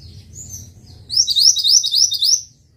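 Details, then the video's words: Mantenan bird singing a tutoring song: a couple of soft high notes, then a loud run of five sharply rising, whistled upslurs at an even quick pace, ending abruptly into near silence with a low hum beneath. "Masteran Burung Mantenan"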